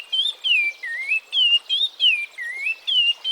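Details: Oriole Warbler (Hypergerus atriceps), African species, calling: clear, liquid whistled notes that slur up and down, about two or three per second in an unbroken run.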